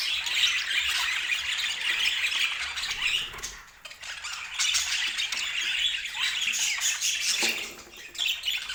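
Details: Budgerigar chatter, a busy mix of warbles and squeaky chirps from several birds, dipping briefly quieter in the middle and near the end before picking up again.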